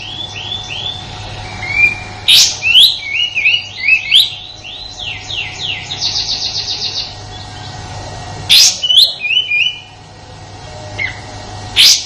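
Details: Rough 'tembakan' shooting song of a sooty-headed bulbul, an Indonesian master song for teaching white-rumped shamas and other songbirds. Clear slurred whistles and a fast trilled run of notes, broken by a few sharp clicking snaps.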